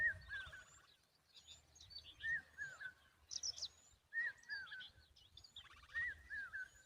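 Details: Common babbler protecting its young: repeated phrases of wavering whistled notes with buzzy trilled edges, about four bursts spaced roughly one to two seconds apart, with sharp high chips from other birds between.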